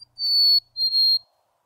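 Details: Black-capped Chickadee song, a clear two-note whistle: a high pure note followed by a slightly lower, briefly broken one, 'hey sweetie'.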